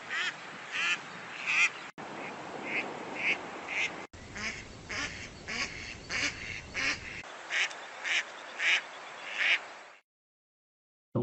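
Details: Female Mallard nocturnal flight calls, compiled from several recordings: loud, harsh, nasal quacks, one about every half-second in steady runs of a dozen or more.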